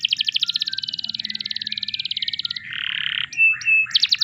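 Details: Canary song meant to encourage other canaries to sing: a long rapid trill of repeated notes, then a harsh buzzy tour, short pure whistles and a final quick trill.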